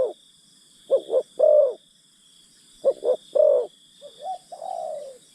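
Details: Spotted dove used as a decoy to lure wild birds, giving repeated cooing phrases: two short hoarse notes followed by a longer rolling coo, with a softer drawn-out falling coo near the end; steady faint hiss in the background.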